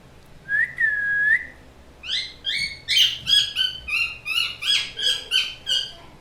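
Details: Pet parrot calling indoors: one drawn-out level whistle, then a rapid run of short chirps, each sweeping downward, repeated about three times a second, over a low background hum.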